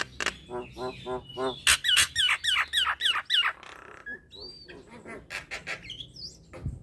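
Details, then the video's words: Nias hill myna song: soft nasal notes give way to a loud run of repeated ringing, downward-bending calls about three a second, then scattered whistles and a high upswept note. "Kicauan Jalak Nias Isian Mantap Ini"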